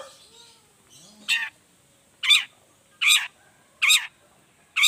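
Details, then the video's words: Long-tailed shrike lure, 'gacor toet toet' variation meant to make other shrikes sing. After soft faint notes, five loud harsh chattering notes come roughly every three-quarters of a second. "pancingan cendet gacor toet toet variasi"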